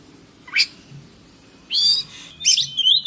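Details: Brief burst of Oriental magpie-robin song meant to provoke silent birds: one sharp upward note, then a longer grating buzzy phrase and a final mix of harsh and whistled notes.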